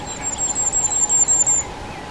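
Common Firecrest giving a quick run of about ten very high, thin, needle-like notes, evenly spaced and falling slightly in pitch, over a faint background hum.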